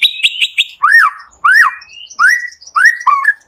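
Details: Morning song of a white-rumped shama used to prompt lazy singers: a quick high chatter, then four clear arched whistles, each rising and falling, spaced about half a second apart.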